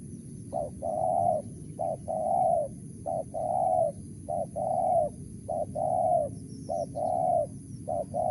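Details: Wild spotted dove, 'mersik' voice style, cooing steadily: about seven phrases, each a short low note followed by a drawn-out hollow coo, coming in an even rhythm.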